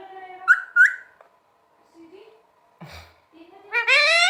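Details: Pet green parrot talking indoors: squawky speech-like notes, a pause, then a rising, strained harmonic screech at the end.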